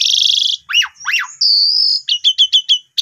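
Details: Prompting song of an Asian pied starling, meant to coax a newly bought bird into full song: a buzzy high note, two sharp downward sweeps, a steady whistle, then a rapid run of five clipped chips.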